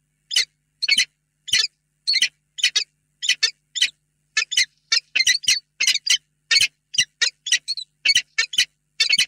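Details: Two peregrine falcons together in a nest box in Reda, 28 February 2022, before evening; a steady run of grating, clipped calls, mostly doubled, repeated roughly every half second for the whole stretch.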